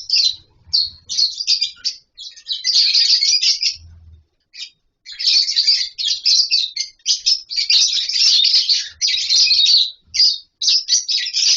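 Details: Captive lovebirds in a colony, nesting in wooden boxes and mud bowls, calling while eating and playing: near-continuous shrill, high-pitched chattering from many birds with brief gaps and faint low thumps.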